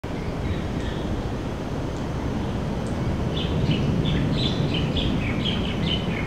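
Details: Red-breasted parakeet resting in a Yellow Flame tree hole in a Singapore playground, January 2013, with another parakeet nearby, gives short, harsh, high calls in a rapid repeated series in the second half, over a loud, steady low rumble like a passing train.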